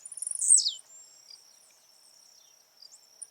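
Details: One jump song from a blue-black grassquit in the wild: rapid accelerating ticks climax in a sharp, very high buzz sliding down in pitch, followed by quiet faint chirps against a steady shrill insect hum.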